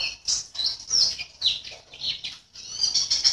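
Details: White-eye kept in a cage in Sambas, West Kalimantan, singing for an online contest: bursts of high, sweet chirps and slurred notes, broken by a brief dip near the middle, then rapid twittering again.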